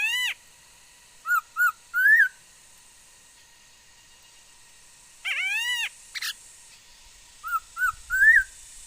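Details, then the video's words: Female laughingthrush singing, a bird said to produce many different sounds, 13 August 2021: clear whistled notes in short bursts, a harsh nasal drawn-out note mid-way, then more paired whistles and a rising slur. "noog sab hwj txawj quaj tau ntau yam suab khúớ mầi hót"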